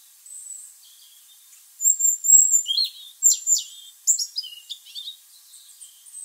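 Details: Tame European robin in autumn song from a garden tree, 27 November 2020, on-camera microphone; soft opening notes then bright, high twittering phrases mixing thin whistles and quick descending slurs, with a brief click.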